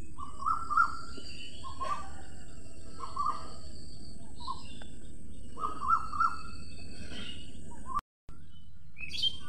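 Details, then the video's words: A sparrow gives short, low chirps, often in quick pairs, every second or two, while thinner, higher calls from other birds sound over a steady low rumble. "Sparrow. Video and sound."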